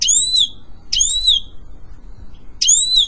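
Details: Goldfinch singing meant for training a pet bird: three high, bright whistled glides, each starting with an abrupt attack and trailing off, spaced unevenly across three seconds with quiet low hum between them.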